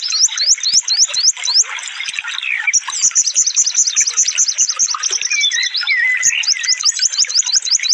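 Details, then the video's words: Burung konin, a sunbird, delivering fast 'tembakan' song for cage-bird masteran: strings of sharp upslurred whistles repeated about four per second, a long chattering stretch, lower warbled phrases, then the upslurs again. "suara burung konin full tembakan"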